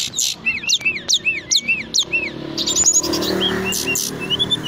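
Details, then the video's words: Brown-chested jungle flycatcher, a native Indonesian songbird popular with hobbyists for its loud, dense nonstop rolling song. Repeated arched, downslurred whistles come about twice per second, then a brighter jumble of high notes over steady background noise. "Sikatan Rimba Dada Coklat Gacor - Ngeroll Tiada Henti"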